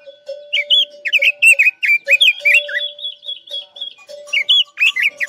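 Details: Guilin-type Chinese hwamei giving trap-lure song, a continuous stream of loud, looping whistled syllables and short bursts, fluid and varied, with a steady low-pitched hum throughout.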